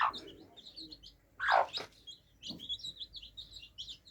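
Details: Baby chicks quenching their thirst, a flock peeping in short high chirps that thicken toward the end, with two loud broad rustling bursts near the start and middle and a softer thud after.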